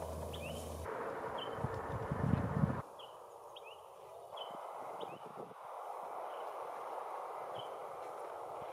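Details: A rare out-of-range Pine Flycatcher on Mount Lemmon near Tucson, Arizona, calling persistently, which allowed its identification: short, sharp, high notes repeated every second or so, over a low rumble of wind and background noise.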